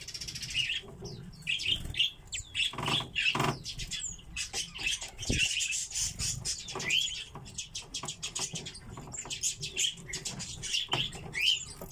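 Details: A flock of captive common redpolls chatters continuously, with dry buzzy trills and brief rising chirps overlapping, alongside soft rustling and fluttering sounds.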